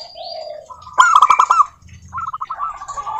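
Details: Zebra dove song of the local type, meant to get other doves singing: a soft low coo, then a loud quick trill of beaded notes, a pause, and another rolling trill.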